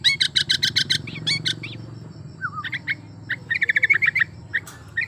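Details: Song of a breeding-condition sooty-headed bulbul, used to provoke other bulbuls to sing. Loud rhythmic bursts are followed by bubbly chattering phrases and a short slurred note, over a steady low rumble.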